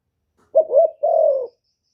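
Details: Decoy spotted dove giving the "1 hậu" call meant to excite wild doves: a soft, low first phrase that dips and rises, then a sustained, slightly descending coo, together lasting roughly a second, with no other sounds.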